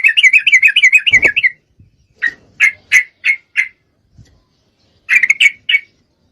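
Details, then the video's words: Female Sooty-headed Bulbul in breeding condition calling to a male: a fast bubbly chattering trill of about 1.5 seconds, then a series of separate sharp notes, a pause, and another short chattering burst. "Trucuk Betina Memangil jantan, full Birahi"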